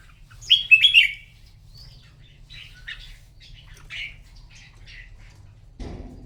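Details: Morning contest song of a red-whiskered bulbul, opening with a loud burst of quick sweeping whistles, then softer scattered chirps, ending in a short low thump.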